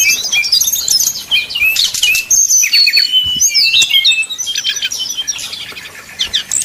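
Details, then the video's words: Brown-chested jungle flycatcher fluting to stir up rivals: mixed sharp chirps and longer clear whistled notes, quick irregular phrasing that softens toward the end. "srdc nyuling bikin lawan jadi panas penuh emosi pancingan srdc tercepat bikin srdc cepat ngeplong"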